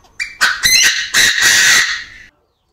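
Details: Chinese francolin crowing in an aviary, the standard call used to lure other birds: a brief tonal lead-in, then three loud, rasping syllables merging into a drawn-out harsh note that stops abruptly.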